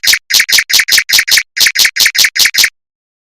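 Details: Mockingbird singing fast, tight rolls in long runs, used to tutor white-rumped shamas: a dozen harsh, rattling, broadband chacks in quick succession over under three seconds, then silence.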